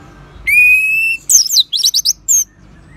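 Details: Orange-headed thrush singing, used to coax other birds into song: a long, steady, pure whistled note, followed by a rapid run of high, sharp, descending chirps and one final bright note.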